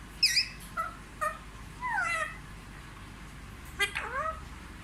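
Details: Indoors, a pet Indian ringneck parakeet known for fluent Hindi speech such as 'mummy' and 'papa' makes several short voiced bursts and gliding, rising-then-falling phrases, loosely spaced, over low room noise.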